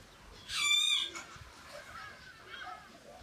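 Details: Golden-tailed woodpecker at its nest in a fishtail palm near a house, where a pair was feeding young: one short, nasal, harmonic call lasting about half a second, then quiet background with faint chatter.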